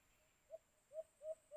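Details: A white-eared brown dove (alimokun), in a cage-trapping setting, gives four low, hollow hoots that swell and fade and come closer together, over a thin steady high whine.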